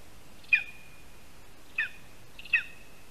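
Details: Lesser spotted eagle at a spruce-tree nest in Latvia, August 2021, while prey is handed over; three short, high yelping calls at irregular spacing over a hissing background.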